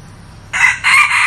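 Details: Brief crow from a red junglefowl decoy bird kept to lure wild junglefowl: two harsh, loud, sustained bursts rising out of quiet background hum, the second slightly longer than the first.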